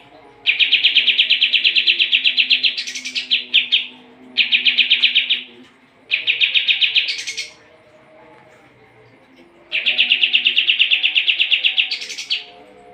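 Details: Sooty-headed bulbul, called kapas tembak, singing strongly as training song for competition birds: four long bouts of rapid machine-gun-like notes, each ending with a higher buzzy flourish, separated by short silences.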